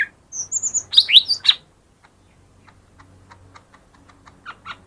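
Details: Lesser green leafbird singing, played to coax reluctant birds into song: a quick burst of high whistles and rising slurred notes early on, then soft scattered ticks and a few chirps.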